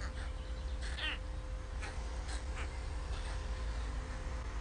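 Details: Hungry white stork chicks in a nest at Ustroń, Poland, 15–16 May 2019. Their mother has been absent since 6 am and the weather is bad. Faint mewing, cat-like harmonic calls rise briefly over a heavy low rumble of wind and rain.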